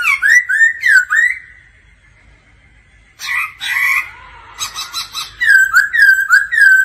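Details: Laughingthrush practising its song daily with a female's ro ro calls; repeated loud looping whistles, a thin sustained tone, then a burst of harsh jumbled notes before more rhythmic whistled loops.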